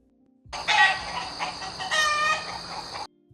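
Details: Domestic chicken crowing: one long, strained cock-a-doodle-doo lasting about two and a half seconds, rising to a peak and then holding, rich and harmonic, with music playing underneath.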